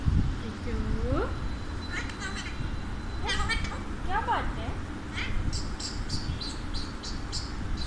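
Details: A pet Alexandrine parakeet that speaks Urdu and Hindi talks in short, speech-like bursts of rising and falling syllables, with some sharper higher notes, over a steady low rumble of background noise.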